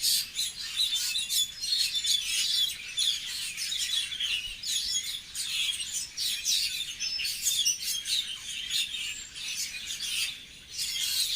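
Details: Several birds tweet continuously: dense, high, scratchy chirps and twitters overlap without a break for over ten seconds.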